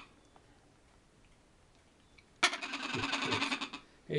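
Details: Green-winged macaw (Ara chloropterus) laughing in the background at a bird breeder's: a loud, raspy, laugh-like burst over a second long, harsh and richly layered, after near silence.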